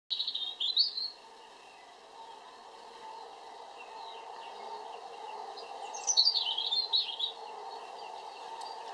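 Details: European robin singing two short bursts of high, thin, tumbling warbled notes, the first near the start and the second about six seconds later, separated by a quiet pause over steady low background hum.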